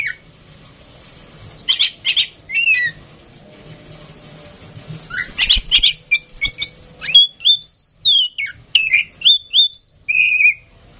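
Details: Female oriental magpie-robin, tame and singing readily, used to make other birds sing: spaced chirping notes at first, then a fast run of varied whistles and slurred phrases, some dropping in pitch.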